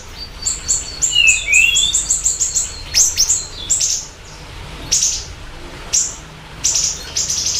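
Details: Siri-siri bird singing for a lure and master recording: a rapid run of high chirps with low slurred whistles at the start, then slower single sharp notes spaced about a second apart.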